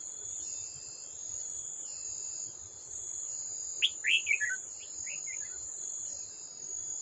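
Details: Red-whiskered bulbul, a mature wild bird, at a trap set with a decoy, 18 July 2024: a brief burst of several quick chirps in the middle, then a few fainter falling notes, against a continuous shrill insect chorus and background hiss.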